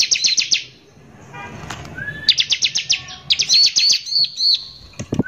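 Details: Bar-winged prinia in strong song, recorded to provoke other prinias: quick high trills, a pause with a short rising whistle, then more rapid notes ending in arched whistles and a final sharp burst.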